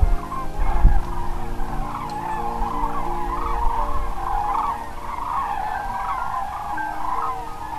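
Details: Common cranes just flown in to roost for the night at Pramort, a major resting place on the Baltic coast of northern Germany, with a red deer stag running through them: a dense, unbroken chorus of overlapping trumpeting calls over a low rumble and a brief thump.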